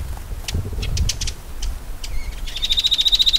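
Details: Shining Sunbird in its natural desert habitat of Africa or Arabia: scattered high chips and a brief whistle, then a rapid, even trill of high notes that starts and runs to the end, with some low rumble early on.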